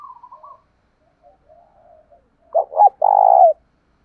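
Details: Decoy spotted dove giving a lure call meant to provoke rivals into fighting, a loud rural-style voice: soft scattered coos, then two short hard notes and one long sustained coo near the end, in otherwise silent surroundings.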